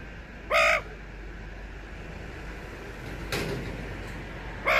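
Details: Australian magpie (Gymnorhina tibicen) from a family of magpies visiting a balcony on a Sunday morning, giving two short, harsh, crow-like notes about four seconds apart, with a brief broad rush of noise between them.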